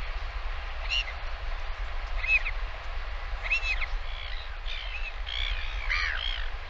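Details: A northern royal albatross parent feeds its chick lunch at the nest, seen on a live camera; spaced sharp squeals come about every 1.3 seconds, then a quicker cluster of wavering whines, with wind noise throughout.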